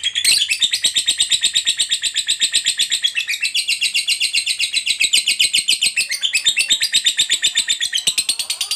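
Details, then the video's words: Lovebird fighter making long ngekek song, used to prompt other lovebirds to sing quickly: a continuous, very rapid rattling chatter of harsh high notes, about four per second, steady throughout without a break. "Suara Burung Lovebird DURASI PANJANG, TERBUKTI Paling Cocok Buat Pancingan Labet Agar Cepat Ngekek"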